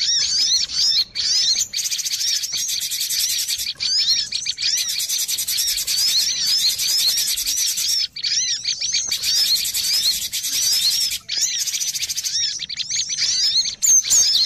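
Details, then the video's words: Cinereous tit lure recording for bird trapping, a busy, noisy chorus: dense overlapping high chirps and curved downslurred notes from many birds, with short pauses near one, four and eight seconds. "Suara pikat burung gelatik batu ribut"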